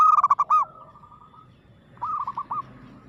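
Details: Zebra dove (Geopelia striata), a local perkutut, sings aggressively in two bursts of quick, bubbly cooing notes, about five each, mid-pitched and staccato, with a short pause between bursts and a faint low hum behind.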